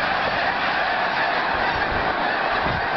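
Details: Snow geese lifting off in a large flock at Delaware Bay, west side north of Lewes, 23 November 2010; countless nasal honks merge into a continuous roaring chorus with no pauses.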